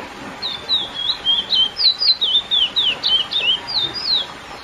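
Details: Lesser seed finch (curió) giving its classic song to excite females: a run of clear, sweet whistled notes, each swooping down then up, about a dozen in steady succession over four seconds.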